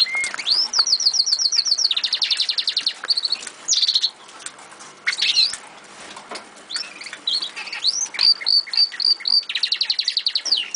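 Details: Eurasian siskins in an aviary deliver loud, fast, rhythmic trills of repeated high notes in long bursts, broken by rising whistled slurs and short twitters, several birds singing at once.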